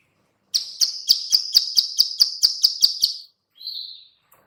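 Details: Bar-winged prinia female clicking call, used to lure other birds: a run of about eleven sharp, high clicks roughly every quarter second, then a short buzzy note after a pause.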